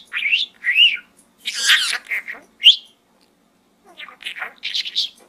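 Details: Budgerigar kept as a pet, chattering while inside a small gourd: warbled rising notes, a dense raspy burst, a sharp upward squeak, then quieter clipped chirps about once a second.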